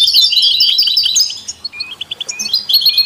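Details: European goldfinch song, kept with canaries and mules, used to stimulate other songbirds: fast, bright twittering trills and liquid notes, loud for the first second and a half, then thinner, spaced chirps before dense twittering returns.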